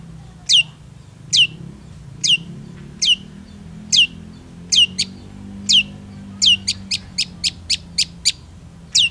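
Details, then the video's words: Long-tailed shrike, singing actively: sharp high notes sweeping down, spaced about a second apart, then a faster run of short repeated notes near the end, over low steady background hum. "PENTET GACOR ANTI GALAU"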